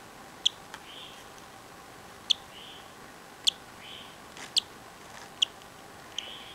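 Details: Cockatiel chick on June 24, 2009, morning, pecking its way out while hatching, gives tiny, sharp, high peeps from inside its egg, spaced a second or two apart.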